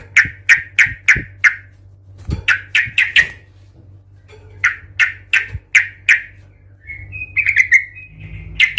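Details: Yellow-vented bulbul giving the aggressive "cuk cuk ngamuk" song used to provoke other bulbuls: long series of sharp, clipped notes in quick runs, with a brief warbled phrase near the end and some thumps.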